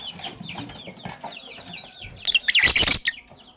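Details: Lovebirds, Sky Blue Opaline and Cobalt, in the morning: a run of quick, thin, high chirps and short rising notes for two seconds, then a loud burst of rustling, fluttering noise near the end.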